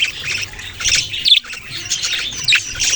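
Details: Short burst of budgerigar chirping: rasping chatter mixed with two or three sharp, piercing squeaks.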